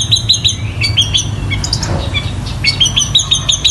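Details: Long-tailed shrike singing energetically, mimicking squabbling sparrows and the tengkek buto: crisp, high twittering notes repeated about three times a second, some slurred whistles in the middle, over a low background hum.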